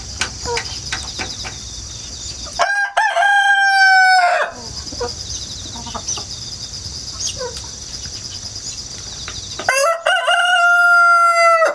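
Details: Countryside rooster, hatched at home, crowing repeatedly on 1 September 2019, recorded with a GoPro and wireless microphone; two loud drawn-out crows, each sustained then dropping in pitch, separated by a pause filled with chirping insects.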